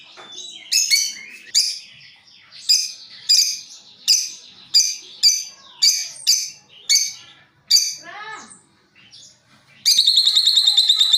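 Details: Lovebirds calling back and forth as a lure: a run of sharp shrill chirps about two per second, softer falling notes, then a fast continuous high chattering trill, the long ngekek.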